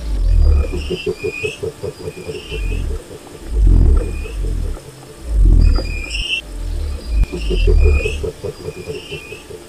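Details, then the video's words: Wild cassowary, a large ratite bird, giving deep rumbling booms in repeated low bursts a few seconds apart. Higher whistled birdsong and a steady pulsing chorus sound in the background. "O Canto do Casuar Selvagem"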